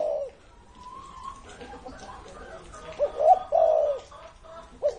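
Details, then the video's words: Old spotted dove, over 30 years of age, giving soft low coos: one at the start, then a fuller cluster of mellow notes later on and a final coo, with faint background noise. "CU GÁY CỤ hơn 30 năm tuổi"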